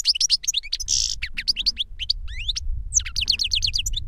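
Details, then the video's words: Captive European goldfinch singing reclamo song, master bird that trained a young one via CD: quick, liquid twittering with buzzy trills, a drawn-out rising whistle near the end, and a faint low rumble behind. "Jilguero maestro cantando reclamo y enseñando a otro jilguero novel"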